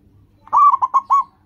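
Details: Single song phrase of a local zebra dove, played to coax caged birds into singing: one drawn-out coo followed by three short rolled notes, clear and loud against a quiet background.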